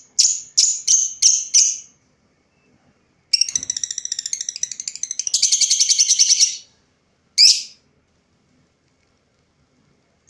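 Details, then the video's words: Lovebird vocalising: five quick, harsh, high chirps, then about three seconds of rapid, buzzy, rattling chatter, followed by one more sharp chirp. "Kicau burung Lovebird mantap"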